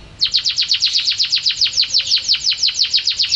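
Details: Canary delivering a steady rapid trill of downward-sweeping notes, about six per second, loud and clear with a quiet background.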